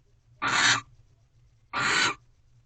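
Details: Barn owls during a mating ritual at night in a nest box at Corral, 1:13 am on 3/2/23, twelfth night: two harsh, hissing screeches, each about half a second long, separated by roughly a second of quiet.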